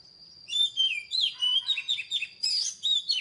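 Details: Oriental magpie-robin song: varied whistled and slurred phrases from 0.5 s, with rich warbles dipping and rising, over a steady thin high tone.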